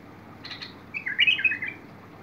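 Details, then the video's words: Bulbul in song, recorded 21 August 2022: a few soft high notes lead into a loud, rich warbled phrase that rises and falls for under a second. "تغريد البلبل"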